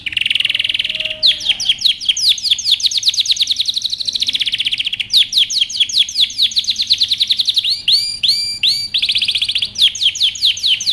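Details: Excited male canary pressing a female to take mating posture sings a long varied song: a buzzy opening, extended rapid chirping trills, a pause, then swooping looped whistles and a final fast trill.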